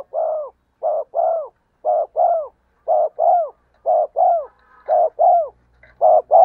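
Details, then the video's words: Vigorous 'giọng đồng' cooing of a spotted dove used as a lure so wild doves answer: steady run of six deep paired coos, short note then drooping longer note, repeated roughly every second against a quiet background. "cu gáy giọng đồng gù sung// tiếng cu gáy mồi chuẩn dùng kích bổi gù theo hiệu quả"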